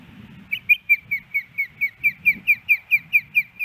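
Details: Nesting female osprey in Hellgate Canyon, Missoula, Montana, 10 September 2018, still asking her mate for fish: a run of about fourteen sharp, slightly downslurred whistles repeated evenly, with soft low rumble underneath.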